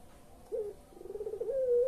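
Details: Collared dove of the pelung style, a recording played to coax silent or reluctant birds into calling: after a short rising note, a rolling pulsed coo leads into a steady drawn-out tone, cut off at the end.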